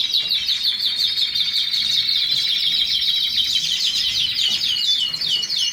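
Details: Canary singing a continuous, rapid song of fast repeated trills and buzzy rolling notes, high-pitched and steady throughout, with a faint background hiss.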